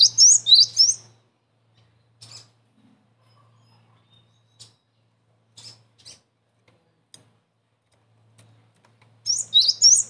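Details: Cinereous tit (gelatik batu) used as a trapping lure. Short bursts of three high, bouncy two-tone whistles open and close the clip, separated by several seconds of near silence with faint ticks and a low hum.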